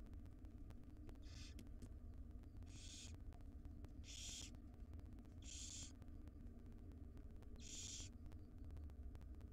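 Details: Hungry barn owlets, five wild chicks in a nest box, beg while their mother delivers breakfast: five short, harsh hissing snores spaced about a second or so apart, with low hum underneath.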